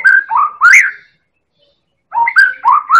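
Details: Medan-type White-rumped shama, a champion bird singing constantly, recorded as a lure to provoke other birds to sing; rich, rising and falling whistled phrases in two bursts separated by a one-second pause.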